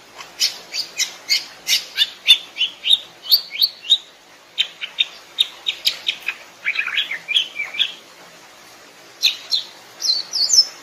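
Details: A greater green leafbird in the wild sings a lively, varied run of high chirps, sharp whistles and warbled notes in quick bursts, with brief pauses between phrases.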